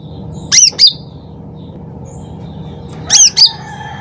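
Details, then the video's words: Sooty-headed bulbul in full loud song for luring birds: two quick shrill downslurred notes, a gap of over two seconds, then the same bright pair again, against a low electrical hum. "cucak ranting gacor suara keras nembak"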